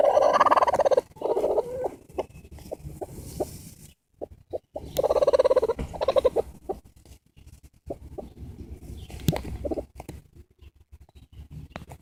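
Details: Broody bantam x bearded silkie hen defending her eggs from a person gives two loud, harsh, squawking outbursts about four seconds apart, with soft rapid clucks and low grumbles between them.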